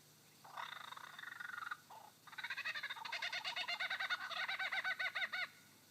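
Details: A male superb lyrebird singing on his dancing mound in Sherbrooke Forest Park, Victoria, mimics a kookaburra: harsh cackling chuckles, then a fast run of laughing notes rising and falling, about three per second, that builds and then stops.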